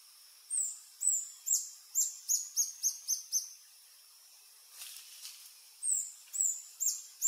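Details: Adult male Reddish Hermit, subspecies ruber, singing on a lek along Sentier de Americains, French Guiana, 1 March 2024, 15:03, filmed with a Panasonic FZ300: very high, thin squeaky notes in a fast series of about eight, a pause, then another run.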